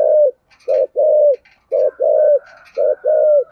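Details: Rapid, steady run of low coos from a spotted dove singing giọng thổ style, with short and long hollow notes alternating about once per second. Faint higher chirps sound in the background.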